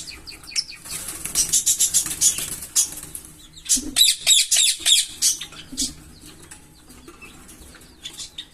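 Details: A green Fischer's lovebird pair singing and chirping: rapid runs of sharp, high, scratchy chirps, about three per second, a loud burst in the middle, then quieter scattered notes.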